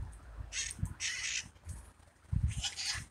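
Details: Courting wild parakeets in the hills of San Francisco, heard as a few loud, scratchy squawks in two groups with a brief quiet gap, over low background rumble.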